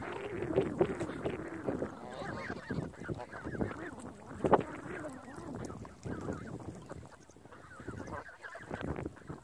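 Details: Geese by a lake giving repeated nasal honks in irregular bursts, some louder single calls standing out over a softer background of more honking birds.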